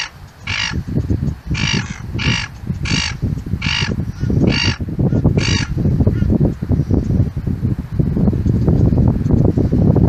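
A gull gives seven harsh, squawking calls, roughly one a second, then falls silent over a steady low rumble of wind or surf.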